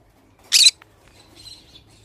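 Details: Pineapple green-cheeked conure kept as a pet, uttering one short, loud, grating squawk, followed by faint soft chatter in a quiet room.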